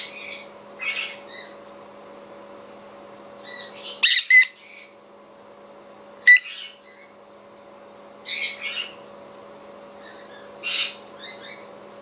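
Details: A pet conure responds to a played recording of another conure screaming, giving harsh, grating screeches and squawks in short bursts every two to three seconds, with softer chirps between, over steady indoor electrical hum.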